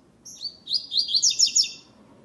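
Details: Tournament double-collared seedeater, second web stage, singing the classic song without the third note: a short introductory note, then a rapid series of roughly six sharp, high, down-slurred buzzy notes, clean and loud, with no other sounds.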